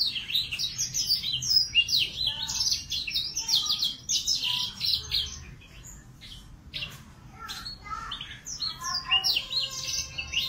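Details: A young male F1 Yorkshire canary practises its song: a rambling, high twittering warble of quick chirps and short trills that runs unevenly with brief pauses.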